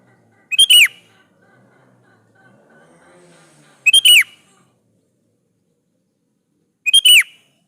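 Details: Lively sooty-headed bulbul song played to provoke other bulbuls to reply: three brief loud whistled phrases of falling notes, spaced several seconds apart, with a faint low murmur between the first two.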